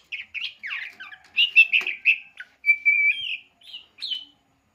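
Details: Champion Oriental magpie-robin kept as a pet singing a rapid medley of sharp chirps and twittering phrases, then a sustained level whistle that climbs slightly before ending in a short high flourish.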